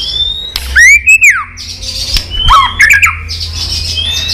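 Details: Female white-rumped shama 'tạch líu' call used to stir males to fight: a loud arched whistle after a click, a gap, then a quick jumble of clicks and short whistled notes.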